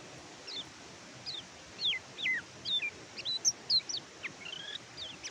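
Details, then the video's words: Oriental white-eye (kecial kuning) as a master track for silent caged birds; spaced, descending high whistled slurs and short chirps, fairly quiet against a steady background hiss. "BURUNG KECIAL KUNING MACET BUNYI PAKAI MASTERAN INI"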